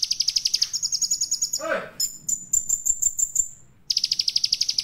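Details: Olive-backed sunbird song full of varied material, sung vigorously: rapid high buzzy trills of evenly spaced pulses, thin piercing whistled notes in a quick series, and a brief lower harsh descending sweep midway before the trills return.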